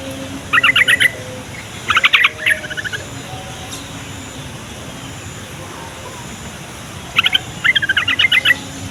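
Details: Yellow-vented bulbul singing as a lure to make other bulbuls answer: quick bubbling phrases of stacked, rattling notes in bursts near the start and end, a silent stretch in between, soft steady background noise.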